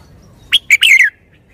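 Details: One crisp phrase of red-whiskered bulbul song: a sharp opening chirp, a short slurred note, then a sustained bubbling warble that drops in pitch, ending cleanly over soft background hum.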